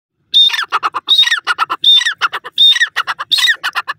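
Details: Black francolin (Sindhi teetar) calling loudly: a harsh phrase repeated about five times, each a high drawn-out note that drops into a rapid string of grating, clucking syllables, with almost no background noise.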